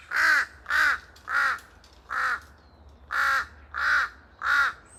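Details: Noisy calls from a pair of large-billed crows in forest: loud, raspy caws given three then four in quick succession, each rough and slightly arched, with echo among the trees.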